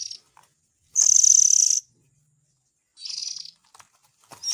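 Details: Oriental magpie-robin chick calling, used as a lure for parent birds: one long, strained, buzzy rasp of nearly a second, then a quieter, shorter rasp and a few faint clicks.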